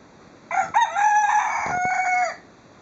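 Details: Rooster crowing once, a loud, raspy, drawn-out cock-a-doodle-doo lasting nearly two seconds, with a quiet background.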